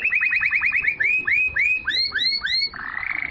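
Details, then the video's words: Canary singing to encourage females to mate and to tutor young birds: quick series of arched whistled notes that slow and rise in pitch, ending in a soft buzzy roll. "تغريد الكناري لتحفيز الاناث على التزاوج"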